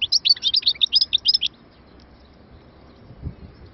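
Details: A short burst of quick, high chirping goldfinch notes lasting about a second and a half, followed by near silence with faint background hum.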